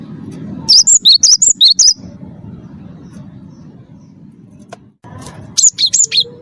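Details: Cinereous tit, a first-place champion bird singing vigorously, used as a lure to prompt captive birds to sing: two bursts of rapid, high chirps that alternate between higher and lower notes, with a low steady hum beneath.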